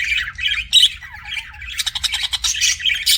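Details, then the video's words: Pet budgerigars chirping: dense, scratchy chatter and squawky bursts with quick whistled notes, busy and continuous with short pauses, a low hum underneath. "BUDGIE CHIRPING SOUNDS"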